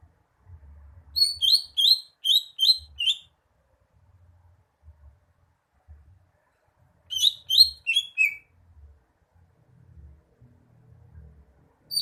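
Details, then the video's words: Greater green leafbird song in two bursts several seconds apart, each a rapid run of five or six sharp, high, twisting chirps, the second burst ending on a lower note; low background hum. "Kicauan burung cucak hijau"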